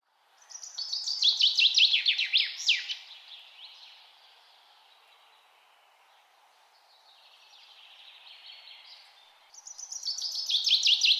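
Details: Birds singing outdoors: a rapid trill of bright, high notes that drops in pitch and ends in sweeping slurs. A quiet pause follows, then a second loud phrase of the same kind begins.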